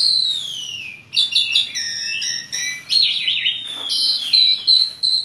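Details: Asian pied starling in full song, a long descending whistle followed by jumbled squeaks, warbles and slurred high whistles, part of a chattering song with many varied phrases.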